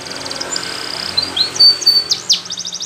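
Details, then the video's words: Belgian canary singing as a training song: high whistled notes and quick rising slides with short buzzy trills at the start and end, over a faint low hum. "Belgian Canary Singing For Training"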